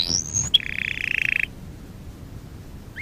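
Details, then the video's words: Canary training song phrase: a rising whistled sweep, a sharp note, then a buzzy rapid roll lasting about a second, followed by silence. "Kanarya sesi kanarya eğitim/1 canary sing"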